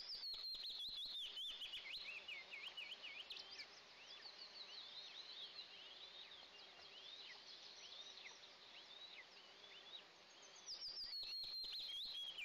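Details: Eastern imperial eaglets, two chicks in a nest watched by camera, calling at the first feeding of the day on 29 June 2024. Shrill, wavering chirps tumble out fast, with louder sustained whistles at start and end.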